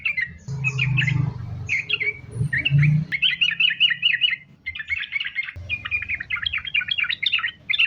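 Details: Sooty-headed bulbul singing nonstop in the rapid linked style called sambung ropel, used as a lure to get other bulbuls singing: bursts of chattering, bubbly notes near mid-high pitch over a low steady hum, with brief pauses between phrases.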